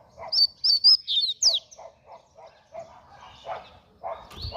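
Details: Double-collared seedeater in fast coleiro song, delivering five loud, piercing whistled notes in quick succession, then softer clipped chirps and a rising buzzy trill at the close.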